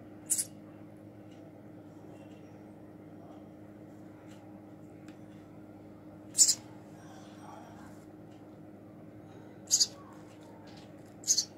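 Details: A baby house sparrow being hand-fed gives four brief, very high, shrill chirps at irregular intervals, over a steady low indoor hum. Finding: House sparrow.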